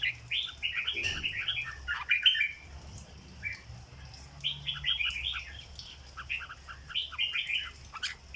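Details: Red-whiskered bulbul kept as a cage bird delivering the prized 'rong dok' song, lively clusters of clear warbled whistles in two bursts separated by a quieter pause, over faint low hum.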